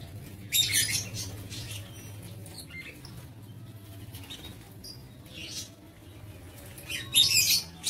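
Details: Lovebirds in an aviary on 07 April 2023: a loud shrill burst at the start, faint chirps through a quiet stretch, then another harsh screeching burst at the end.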